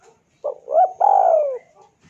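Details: Single cooing phrase of a spotted dove, a lure for calling a rival: a quick hoot, a rising double note, then a long steady coo that slides downward, clean and close.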